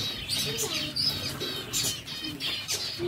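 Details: Zebra finches kept by a breeder give scattered nasal, tinny beeps in short bursts, mixed with low, soft sliding coos from other birds.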